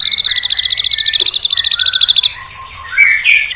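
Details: Provoking song of a white-rumped shama: a rapid, evenly pulsed trill of sharp repeated notes for two seconds, then softer scratchy warbled notes and two brief bright chips.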